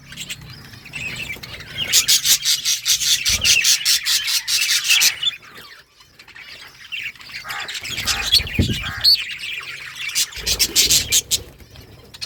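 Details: Budgies talking to each other: loud bursts of rapid, repeated high chirps and warbles, dense for about three seconds, then a brief lull before the chatter picks up again.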